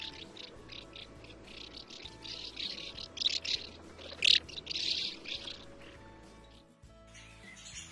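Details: Common swift (black swift) giving its long flight scream, longer than a swallow's call: shrill, drawn-out screeching calls in bursts of about half a second, with soft music underneath.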